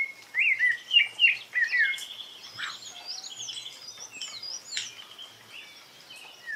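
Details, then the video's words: A rufous-bellied thrush (Turdus rufiventris) in the wild gives a timid song: a few soft, warbled whistled phrases, then falls quiet while thin, high chirps from other birds continue behind. "CANTO TIMIDO DO SABIA LARANJEIRA"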